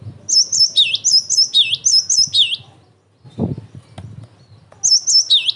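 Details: Cinereous tit singing emotionally, a recording meant to draw answers from other tits and to train them: bright high repeated doublets alternating with dipping slurred notes, a long phrase, a pause with a low thump, then the phrase resumes.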